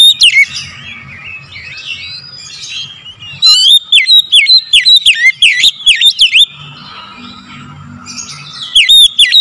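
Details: Morning oriental magpie-robin song used as a lure: a long burst of rapid, clear whistles that swoop down and up, with softer chattering phrases before and after and a faint low hum.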